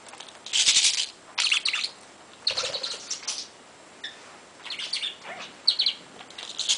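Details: Playing pet parrot, 22 months old, chattering: loud bursts of harsh, raspy, speech-like syllables followed by lighter chirps, roughly one burst per second, with a dull thump partway through.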